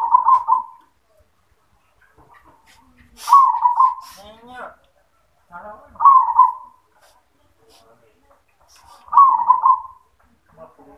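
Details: Zebra dove singing yoman-style: four rolling, purring coo phrases repeated roughly every three seconds, with human voices and knocking sounds between them.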